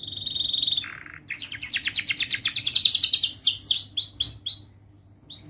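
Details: Young canary singing as tutor song for juvenile canaries; a steady high whistle, a brief lower buzz, then a fast accelerating trill of clipped notes breaking into bright descending slurs.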